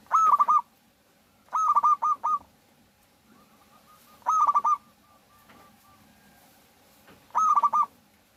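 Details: Lure song of a local zebra dove meant to set other doves singing: four pulsed cooing phrases, each a held note chopped into rapid beats, repeated roughly every two to three seconds over a quiet background.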